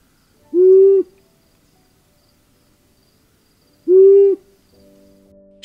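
A Long-eared Owl gives two low, soft, even hoots about three and a half seconds apart. A brief electronic tone follows at the end.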